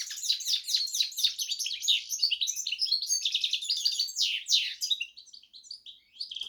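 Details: Canary and goldfinch hybrid singing quick, varied high chirps and short trills in a lively stream that tapers into sparse notes toward the end.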